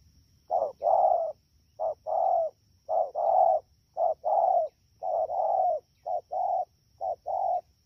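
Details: Fast-calling wild-caught spotted dove, Đak Tô, Vietnam, 3 October 2019: a string of about seven soft coo pairs, each a clipped note then a longer hollow one, delivered roughly once a second above a faint electronic whine.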